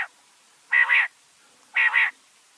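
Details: Common quail calling at night: two harsh, buzzy double-pulsed bursts about one second apart, each lasting roughly a third of a second, over a quiet background.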